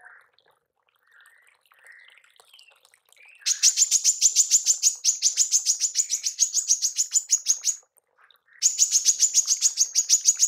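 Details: Tembakan of a female manggar, used for training songbirds: soft scattered notes at first, then a long rapid run of bright, high, evenly repeated chips, a short break, and another run.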